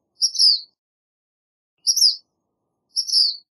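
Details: Black phoebe song of three short, high, slightly buzzy phrases with a brief rising then falling shape, spaced unevenly over a few seconds in a quiet setting.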